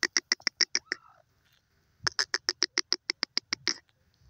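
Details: Two bursts of loud, dry, ticking notes from a francolin, delivered quickly and evenly, about three per second, broken by a brief whining slur and a near-silent gap.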